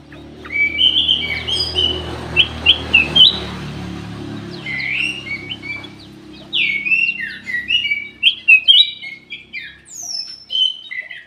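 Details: Ruby-throated bulbul song used as a lure to get reluctant caged birds singing. Bright whistled and chirpy phrases come in quick bursts, with a rumbling background noise underneath.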